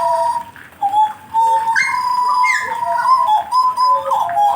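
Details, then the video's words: Indoor jagal blorok warming up, with sustained whistles interrupted by short rising slurs, the song growing fuller after a brief lull. "kasi panas dlu jagal blorok nya"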